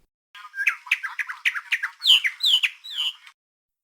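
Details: A Socorro mockingbird in Mexico sings a quick run of about a dozen varied chirps and squawky notes, closing with three longer slurred whistles; recorded as a digital camera's video audio, the sound is harsh and distorted by aliasing.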